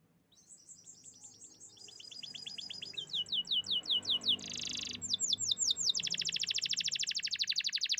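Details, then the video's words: Loud, energetic canary song: quick repeated chirps that turn into sweeping whistles, a dense buzzy burst, then long, very fast rolling trills carrying to the end. "the beautiful chirping sounds of canaries"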